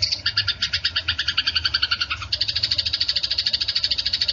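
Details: Quick, rasping chirps from a fighting Eurasian tree sparrow, about two to three per second. The notes slide downward near two seconds, then shift into a higher, even rattle.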